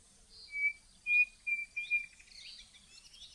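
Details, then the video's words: Cerrado bird from Brazil gives four short, pure whistles of even pitch, about half a second apart, over faint high chirping from other birds. "CANTO de AVES do CERRADO BRASILEIRO"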